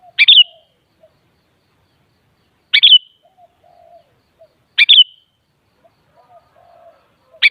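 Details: Kutilang, the sooty-headed bulbul, repeating a brief bubbly chirped phrase about every two to three seconds, four phrases in all. Meant to prompt other kutilang birds to respond and sing. A faint low hum drifts underneath.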